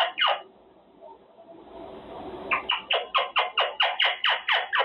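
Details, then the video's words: Monk Parakeet, a pet male Quaker parrot in its cage during cage time; two harsh calls, a soft pause, then a rapid series of about ten repeated downward-sweeping squawks at a steady pace. "Parrot practicing words - Talking Quaker parrot"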